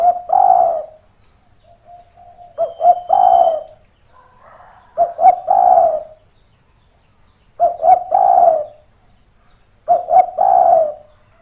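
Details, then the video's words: Energetic spotted dove whose call lures others down, as they approach a rival they hear: repeated low, throaty coo phrases roughly every two to three seconds. Each opens with stuttered short notes and ends in a full rolling coo, with quiet softer coos between phrases. "Suara Derkuku Gacor // Pancingan Pikat Burung Tekukur"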